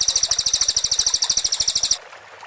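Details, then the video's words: Cililin song recorded clearly as a master for training white-rumped shamas, in a tightly packed rapid-fire style: a two-second run of piercing, high chips, about ten per second, then stopping abruptly. "MASTERAN CILILIN JERNIH 4 MURAI BATU 📍KHAS SUARA TEMBAKAN RAPAT"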